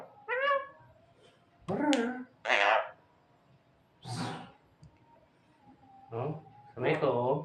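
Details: Javan myna kept as a tame pet imitating voices indoors: wavering nasal phrases, harsh hissing bursts like coughs, and short speech-like syllables separated by pauses, with a faint steady hum behind.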